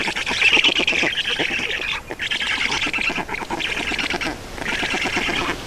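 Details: Feeding time at an Estonian black stork nest, afternoon of 31 May 2019: rough, nasal squawking in long rattling bursts with quick repeated pulses, briefly breaking near the two- and four-and-a-half-second marks before resuming.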